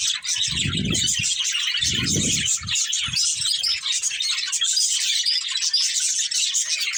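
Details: Pet budgies of a breeding pair warbling and chirping without pause in a high scratchy stream, with two low thudding rustles early on.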